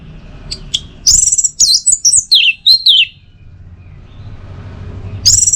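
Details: Orange-headed thrush song with very high, twisting whistles and rapid warbled slurs in one run of about two seconds. A fresh phrase starts at the end, over faint low background rumble.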